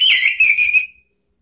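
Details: Orange-headed thrush whistling to draw in rivals: one clear, high whistled phrase that drops quickly then holds level with a slight warble, ending abruptly into silence.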